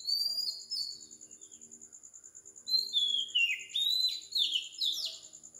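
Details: Early-morning Oriental magpie-robin song from Sri Lanka at 4 am: a single whistle, a quieter pause, then an energetic series of falling, slurred whistled notes, with a steady high pulsing hum behind.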